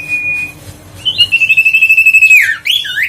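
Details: Huyt co bird lure call to rouse silent birds: a brief whistle, then a long steady whistled note of over a second with slight pulsing, dropping into a fast swooping flourish.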